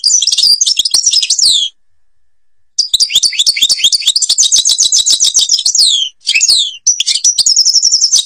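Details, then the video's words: Long phrases of European goldfinch song from Algeria in the ghabat al-Babas tiberli manner: rapid repeated tinkling notes and metallic trills, with two short breaks. "(canto jilguero argelia) تغريد غابة الباباس تيبرلي"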